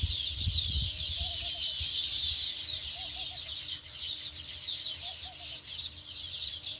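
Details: Several sparrows chirp in a thick, overlapping stream of high twittering notes with quick rising accents, alongside low rumbling background noise and a steady faint hum.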